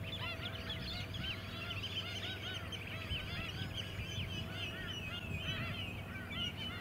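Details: Flock of White-headed Stilts on mudflats at Scarborough, Queensland, July 2017, keeping up a continuous clamour of sharp, curved yapping notes from many birds over a low mechanical hum.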